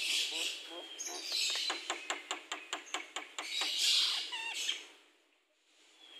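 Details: An aviary-kept Javan myna, called a keen singer. It gives rasping squawks, then a run of about ten evenly spaced clicking pulses, more harsh chatter, and a brief quiet at the end.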